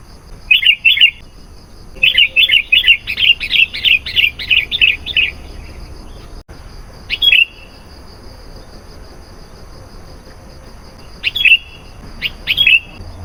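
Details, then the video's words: Sooty-headed bulbul in full song, played to draw in wild bulbuls: a long rapid series of about a dozen bubbly, repeated chirps, then sparse single sharp notes after a lull, with a faint steady high hum in the background. "SUARA BURUNG KUTILANG GACOR"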